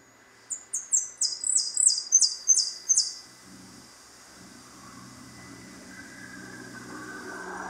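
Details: European goldfinch singing on a balcony, warming up and showing its pipinas and prio song phrases: about nine high, clipped notes that sweep downward, repeated rapidly over two and a half seconds, then only a low hum remains.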